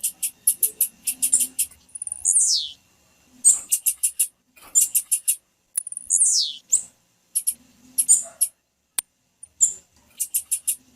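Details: Calls of a female blue-black grassquit, meant to make a captive male sing for competition: rapid bursts of thin, high-pitched chips repeated throughout, with two drawn-out, descending buzzy sweeps between the bursts.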